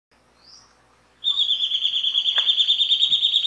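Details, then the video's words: A faint thin rising note, then the Rufous Gnateater launches a steady, rapid trill of high pulsed notes, around three per second in the loudness rhythm, continuing strongly to the end. "Canto do pássaro Chupa-dente"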